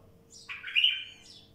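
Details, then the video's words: Wild bulbul giving one short phrase: a thin high note, then a rich, slurred whistle that swells and drops slightly, ending in a faint high trill, with a low steady hum behind. "تغريد بلبل وحشي"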